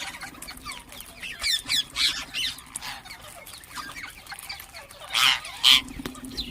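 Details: Ring-necked parakeets calling and chirping: harsh, buzzy screeches burst out in loud clusters, a pair of strong raspy shrieks near the end, between quieter scratchy chirps and a faint constant low drone.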